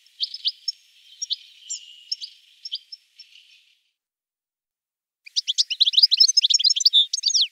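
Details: European goldfinch: a loose series of sharp chirps for about three seconds, a pause, then a dense fast run of bright twittering notes.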